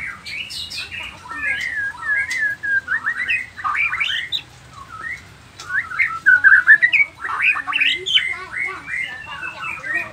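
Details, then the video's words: White-rumped shama of the Nias form, singing a dense, rapid run of chattering and whistled notes, mostly squeaky twitters with a few sharper squawks, with a low hum in the background. "Murai batu nias noktah gacor isian dengarkan suara ini 30 detik murai batu lain akan nyaut seketika"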